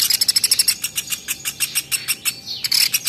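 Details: Velvet-fronted nuthatch in a masteran recording made to train birds, giving quick dry chips that slow from a rapid burst into evenly spaced notes, then a brief buzzy trill at the end.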